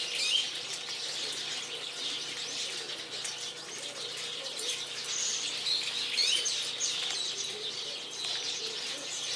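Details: A flock of Japanese waxwings crowding a dead persimmon tree in a garden, calling with many high, thin, sibilant trilled notes overlapping in a steady hissing chorus, with bursts of wing flapping.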